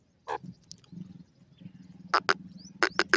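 A partridge gives short, harsh, clipped notes in quick pairs and triplets near the end, over a low droning hum with faint music.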